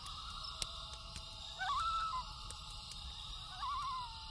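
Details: Loon at night giving two rising, wavering wail phrases that swoop upward then quaver and trail off, over steady campfire crackle.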